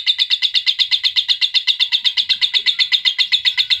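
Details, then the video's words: Trigger sound for adult lovebirds: a fast, loud chatter of high chirps, about four per second, delivered in a tight, very regular stream. "PERANGSANG PANCINGAN LOVEBIRD DEWASA"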